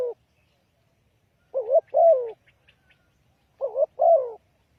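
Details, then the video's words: Spotted dove lure for trapping, giving two clear two-part coo phrases, a wobbling short note and a longer falling coo, with faint soft chirps between them. "Chim cu gáy chiêu kích mồi tập bổi nhanh nổi hiệu quả"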